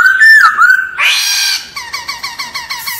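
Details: Laughingthrush singing a forest-style song used for voice training: clear whistled notes around a steady pitch, then a brief buzzy rasp, then a rapid series of short repeated chirping notes.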